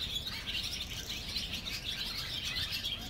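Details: Several barn swallows calling at their colony under a bridge in Mercer County Park, New Jersey, producing constant high, warbling twitters and chirps with a faint low rumble behind.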